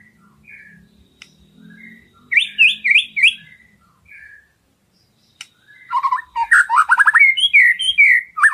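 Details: Tutor recording of a white-rumped shama's filler song: soft scattered whistles over a low hum, then loud bursts of bubbling, twisting phrases and fast chattering notes.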